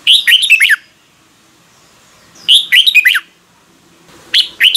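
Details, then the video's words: Morning song of a red-whiskered bulbul, offered as a training lure for other birds: three short, rich whistled phrases of fast, slurred notes, about two seconds apart, with soft background hum between them. "Luyện chào mào hót sáng"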